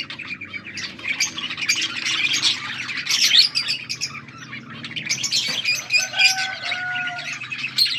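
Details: Budgies in a chirping chorus, August 14, 2024: rapid scratchy warbles and sharp tweets, plus a few short clear whistled tones near the end, with a low steady hum behind.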